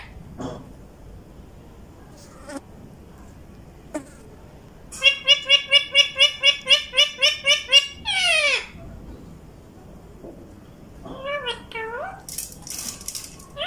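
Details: Caged pet ring-necked parakeets, including raw birds, in Vehari, Punjab, Pakistan, talking in Urdu; after sparse clicks, about a dozen loud, evenly spaced harmonic squawks repeat over three seconds, then a falling screech and softer chattering warbles.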